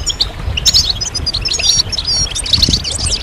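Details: European goldfinches twittering, stimulation song meant to make other goldfinches sing: dense tinkling, buzzy chirps and quick trills high in pitch, several birds overlapping continuously, with low rumbling background noise.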